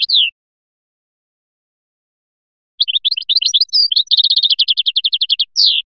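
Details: European goldfinch of Biskra, a prized singer, gives its song: a brief descending note, a pause, then a fast tinkling run of twittering notes and rapid trilled repeats, high-pitched and clean.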